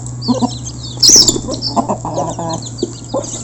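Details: Local chickens being fed, a flock recorded up close: short clucks and a brief high squeal, with several small-bird chirps high above and a constant low hum beneath.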